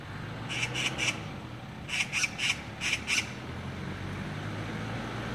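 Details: Six Oriental magpies noisily mobbing another bird on a street, giving harsh, rasping chatter in bursts of three quick notes, repeated several times, over a steady low traffic rumble.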